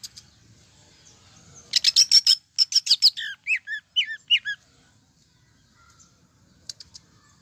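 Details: Full tembakan-style singing from a cucak ijo (greater green leafbird): a quick string of piercing high chips followed by repeated downslurred whistled notes, the phrase lasting near three seconds, then quiet with a few soft ticks.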